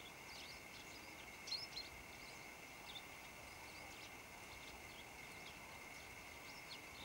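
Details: Several tree sparrows chirping in shrubs around Botevgrad, Bulgaria: short, bright chirps, scattered and overlapping, over a steady high hum.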